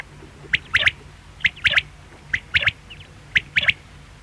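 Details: A quail repeats a crisp three-part call, one short note then a rapid pair, about four times in steady succession against a low hum.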